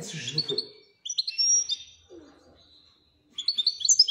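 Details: Moroccan goldfinch singing the Wedania style: after a low, noisy opening, sliding high twitters and a thin sustained whistle follow, then a closing rush of quick chirps.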